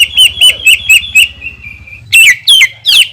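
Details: Greater green leafbird, caged and used as a lure bird, sings long bursts meant to provoke rival birds. Clear whistled notes around a steady pitch repeat about four times a second, then richer, sweeping warbled phrases follow; faint low hum underneath.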